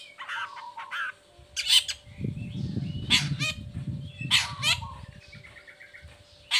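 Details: Long-tailed shrike singing from an uncovered cage, a lure for shrikes that are moulting or reluctant to sing. Harsh bursts and buzzy notes sound over a loud low rumbling noise, with a faint hum.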